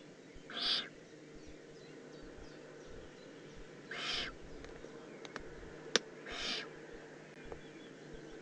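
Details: Juvenile Eurasian eagle-owl, Eifel, recorded 18 June 2016, producing three short, coarse hisses spaced roughly three seconds apart, plus one sharp click and a low constant hum.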